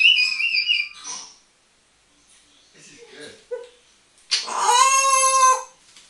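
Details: A pet African grey parrot talking and whistling, opening with wavering high tones, then soft murmured sounds, and ending in a long, loud, nasal, strongly harmonic drawn-out call.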